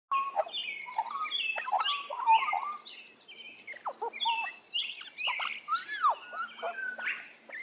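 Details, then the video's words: An Australian magpie carols continuously for several seconds in rich, flute-like warbles mixed with sharp downslurred notes and gurgling phrases. "Australian magpie"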